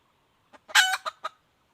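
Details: Female red junglefowl call, a short soft lead note, then a loud harsh stretched cry and two quick clipped notes, clean and close.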